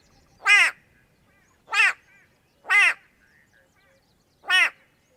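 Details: White-bellied go-away-bird in Kenya, captured with a Sony PCM A10 and Lom mikroUsi microphones. Four harsh, nasal, drawn-out 'gwaay' cries, each rich and braying, are spaced about one second apart against a quiet background.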